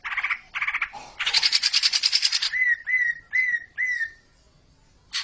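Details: Greater green leafbird masteran song meant to get a junior bird into ngekek singing. Short buzzy bursts give way to a harsh rolling rattle, then four clear downslurred whistles at steady intervals and a final sharp note.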